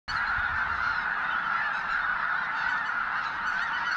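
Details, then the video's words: Thousands of snow geese at Goose Pond Fish & Wildlife Area, Linton, Indiana: a large flock clamoring without pause, a nearly deafening wall of overlapping nasal, high-pitched honks and yelps. "Snow Goose"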